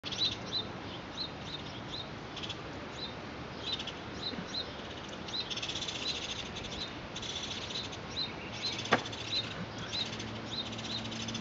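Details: Hooded Oriole chicks, three being fed by their mother, give thin, high chips in quick irregular bursts over a steady background hiss, with one sharper sound near the end; 25 April 2019.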